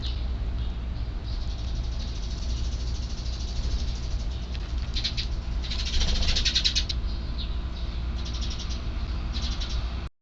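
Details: Chick calls of neighbourhood sparrows, heard before evening feeding on 3 April 2024, the birds staying out of sight: harsh buzzy bursts in short clusters, loudest midway and again near the end, over steady low rumbling noise.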